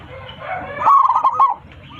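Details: Local zebra dove singing to call its flock, big-voiced. Soft murmuring at first, then one loud run of fast, even coo notes lasting about two-thirds of a second.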